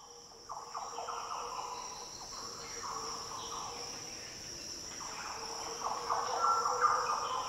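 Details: Green oriole singing in the Daintree rainforest, tropical northern Australia: deep, liquid, fluty phrases rising and falling, several in a row, over a steady high insect drone.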